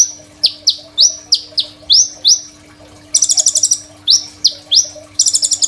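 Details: Lively Crimson sunbird song captured on a phone to serve as a master for teaching untrained sunbirds; runs of rising high whistles interleave with two clipped, rattling trills, all over a low constant hum.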